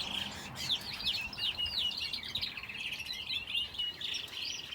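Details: Aviary finches kept alongside a canary chatter busily: quick rising and falling tweets and short trills overlap almost without pause, high and bright, from more than one bird.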